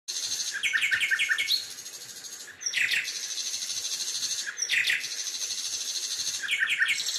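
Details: Birds singing at Songdo: bursts of quick repeated chirping notes recur every two seconds or so over a steady, high, shrill drone that runs through the whole recording.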